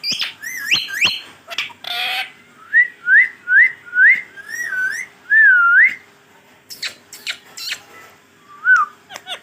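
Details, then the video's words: Pet green Rose-ringed parakeet whistling a quick series of about six looping, rising-falling notes, preceded by harsh chatter and followed by scattered speech-like clicks and one last soft whistle. "boline wala tota😍 check karen kitne words bol Raha he full Talking of my parrot"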